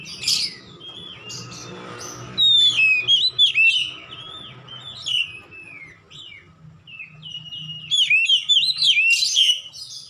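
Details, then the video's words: Oriental magpie-robin, song in the 'ngeplong gacor' style for caged bird training: a harsh opening note, a fluent string of sliding whistles, a pause with faint notes, then a fast burst of chirpy whistles. "AUTO NGEPLONG GACOR KACER"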